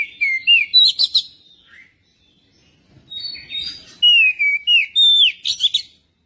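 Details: Magpie-robin singing, used as a lure to get another magpie-robin to sing: quick bright whistled slurs and chips, a short pause, then a loud series of falling whistles and harsh notes.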